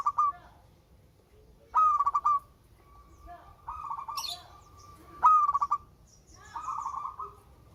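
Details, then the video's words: Local zebra dove singing melodiously, used as a lure for birds slow to sing. Alternating phrases: crisp stuttered rising trills and softer rolling coos, with a short high chirp between. "Perkutut LOKAL SUARA MERDU"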